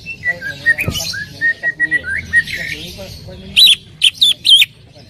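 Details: Greater green leafbird song used to prompt another leafbird to sing: a rapid run of short whistled notes near one pitch, then several loud sharp downslurred whistles after a brief pause; faint background noise.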